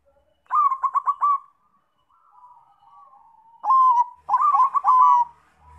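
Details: Perkutut (zebra dove) of the Bangkok type, sung as a lure to prompt other doves. A quick series of five clipped coos, a soft trailing murmur, then a long coo followed by more rapid notes.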